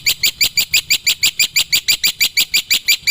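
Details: Black-winged myna in the wild giving a steady, loud series of harsh grating notes, about five per second, evenly spaced for three seconds.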